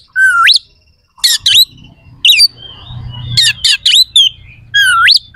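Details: Oriental magpie-robin delivering harsh, sharp song fillers used to stir rival kacer to fight: a long upward-sweeping whistle, bursts of grating noise, chattering notes, and another rising whistle at the end.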